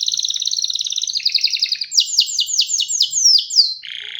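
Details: Canary song opening with a rapid rolling trill, then a series of about seven loud, sweeping notes that drop sharply in pitch, ending on a lower buzzy trill.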